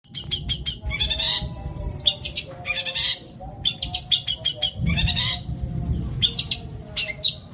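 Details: Long-tailed shrike delivering a long 'isian greja petir kuntilanak' fill song: dense, rapid bursts of sharp chirps and rattling notes, high-pitched and varied, with short pauses between phrases and faint low background rumble.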